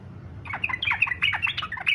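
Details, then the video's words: Brief, dense phrase of yellow-vented bulbul fighter song, meant to provoke other bulbuls to sing along; rapid, rollicking, slurred notes run continuously after a short quiet lead-in. "SUARA trucukan faghter cocok buat pancingan supaya trucuk ikut faghter"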